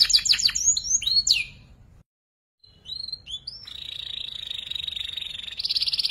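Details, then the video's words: Young canary learning ngeriwik singing, a tutor for murai and kacer fighters; clear falling whistles, a short break, scattered soft notes, then a long level whistled tone ending in buzzy pulses. "PANCINGAN KENARI PAUD BELAJAR NGERIWIK"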